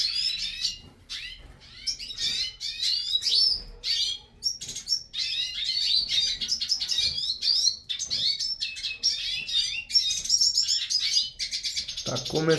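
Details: Hooded siskins in a breeding aviary starting their song, with long runs of sharp chirps, rising and falling whistles and dense buzzy trills, ending with a brief low knock.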